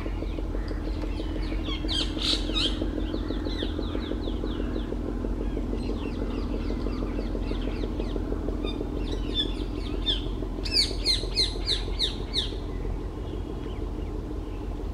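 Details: Green bee-eater among tree branches, West Bengal, India, calling in clustered bursts of thin, high, chirped notes, with a louder busy flurry near the end; steady low background drone and other birds faintly audible.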